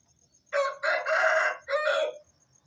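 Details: Aseel rooster crowing at dawn around 4:30 am as a wake-up call on a farm: one loud, harsh, multi-part crow lasting over a second with a short break before the drawn-out final note, a steady high insect trill behind.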